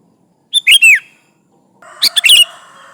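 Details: Energetic song of a sooty-headed bulbul challenging rivals, played as a lure: a brisk clicking burst sliding into a falling whistle, then a second chattering phrase over a low steady drone.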